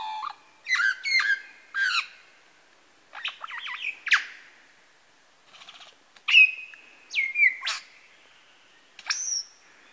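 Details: Lyrebird male mimicking several bird species at Masons Falls, Kinglake National Park: clusters of sharp chirps, a warbled phrase, then clear whistled notes that slide down, one ending on a high held tone.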